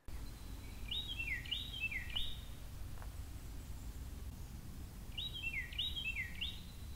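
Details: Carolina wren, a backyard bird of the eastern United States, loudly singing two bursts of its rolling, whistled three-note "tea-kettle tea-kettle tea-kettle" song over a low steady rumble of background noise.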